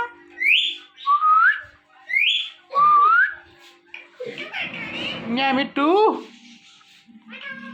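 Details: Male and female ringneck parrots kept as pets, mating in front of a mirror, give repeated sharp rising whistles followed by a rough, chattering run of harsh squawks and upward-sweeping notes.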